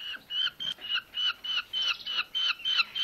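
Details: Two starving rescued Eurasian hobby nestlings, found on a road on an August Friday evening and taken to a wild bird rescue centre in Dömös, being fed: shrill, slightly rising calls repeated steadily about three times a second.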